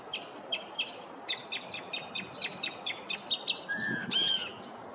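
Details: A male Northern mockingbird sings through its repertoire on a neighborhood morning, a quick run of repeated bright chirps followed by a slurred, rising whistle and a buzzy, harsher note at the end.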